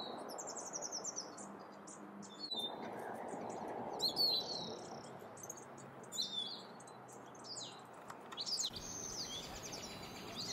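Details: Mountain Chickadee in a backyard in the Sierra foothills, California, on 8 April, calling thin, high chips and short buzzy notes in loose bursts, with other small birds chirping and a soft background hum.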